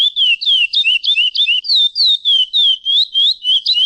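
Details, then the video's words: A curió, or chestnut-bellied seed finch, sings in the classic praia style: looping whistled phrases that dip and rise, each note clipped and repeated about three times per second, loud and clear without other sounds. "encarte curio praia classico SELO VERMELHO| 10 X 20 SOM DE CACHOEIRA COM PIALADAS"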